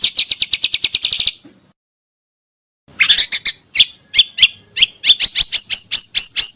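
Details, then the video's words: Lure recording of a pancawarna bird, also used for song training: a rapid string of high chirps, a silent gap, then irregular sharp notes ending in thin, piercing whistled chirps. "suara burung pancawarna sangat ampuh untuk pikat dan isian"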